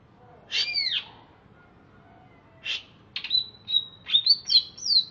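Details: Greater green leafbird from Alas Purwo, Banyuwangi, kept caged in Bekasi, singing just after a bath. A loud arched double whistle comes first, then a pause, then a quick string of sharp chips and high, thin, sliding notes.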